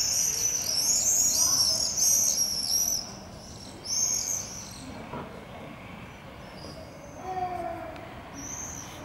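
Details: Common swift screaming party of non-breeders exploring potential nest cavities, with a breeder entering its cavity, on a Brussels campus on 13 July 2020: high, shrill, drawn-out screams for three seconds, then a further short burst and scattered distant screams amid background hum.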